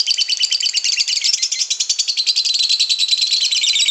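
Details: Long ngekek song from a white-beaked lovebird, a sustained rapid chattering trill of high, dense, fast-repeated notes that holds steady and loud throughout without a break.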